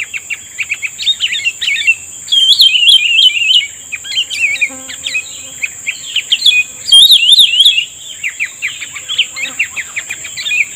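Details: Bulbul calling back to a lure while being trapped: rapid chattering chirps and looping whistled phrases in an irregular stream, accompanied by a continuous high-pitched whine.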